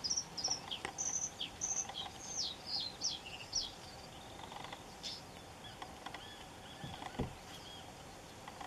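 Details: Red-throated pipit in Cyprus giving thin, very high calls: short strained whistles in quick succession, then several lower slurred notes, fading out after four seconds, with steady background hum.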